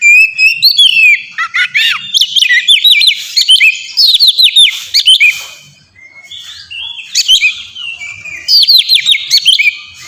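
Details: Oriental magpie-robin in full, clear song used as a lure to get pet birds singing: loud bursts of rapid whistled and chirping notes, many sweeping down, in phrases of one to two seconds separated by short pauses.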